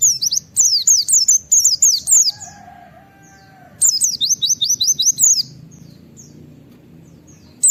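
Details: Pleci, a white-eye, calling 'nembak wit wit' in wild style to draw other white-eyes into calling: fast runs of sharp, high descending whistles in clusters, a brief lower tonal whine between bursts.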